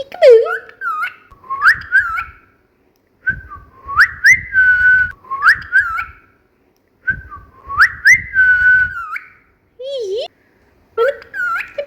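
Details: Cockatiel whistling, played for pet cockatiels: phrases of rising and falling whistled notes, some wavering, delivered in bursts separated by short pauses of a second or two, in a quiet indoor setting.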